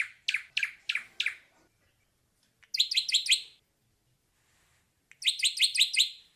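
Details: Song of an ashy drongo: four sharp, high, down-stroked notes, then two bursts of quick, ringing, metallic chatter separated by a pause of about two seconds; background otherwise silent.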